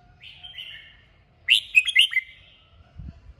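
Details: Red-whiskered bulbul, 'kích bổi' stimulation song: short warbled phrases, then a burst of four or five loud liquid whistles, with a low thump near the end.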